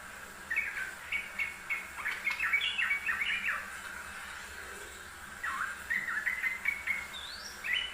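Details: Yellow-vented bulbul singing often, on a master recording: two bursts of quick, bubbly, chattering warbles, the first about three seconds long, then a pause, then a second run of liquid notes ending in a brief upward whistle. Light background hiss.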